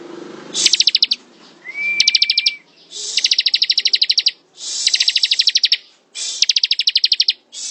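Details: Bar-winged prinia (ciblek) singing in ngebren style: quick bursts of sharp, rapidly repeated high ticking notes, about one burst per second, with one thin level whistle slurring upward between bursts.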